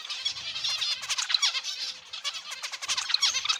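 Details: Zebra finches in an aviary, many birds calling together: dense overlapping nasal, buzzy notes with stacked harmonics, rapid and irregular throughout.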